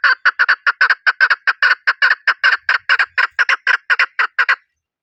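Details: Chukar calling: a rapid run of about twenty loud, harsh clucking notes, many in close pairs, delivered at a steady, hurried pace for nearly five seconds, then stopping; no other sounds.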